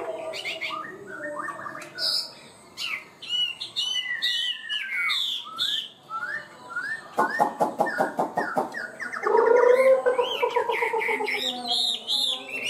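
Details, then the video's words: Caged Chinese hwamei with a high-pitched song that starts fast and stays steady. It moves between varied whistles, sweeping slurs and a burst of rapid clicking trills, then ends with a loud, vibrant rolling phrase. "Chim họa mi hót cao cầu, ra mỏ nhanh ổn định"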